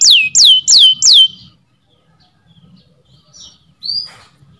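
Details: Canary giving four loud, clear downward-swept whistles in quick succession, then falling silent apart from a couple of soft, brief high notes and faint low rustling.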